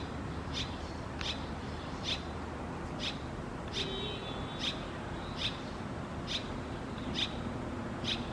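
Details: Nesting Red-rumped Swallow at a veranda nest, one of a breeding pair: clipped, high chirps spaced under a second apart, with a faint low drone and a brief thin whistle between calls.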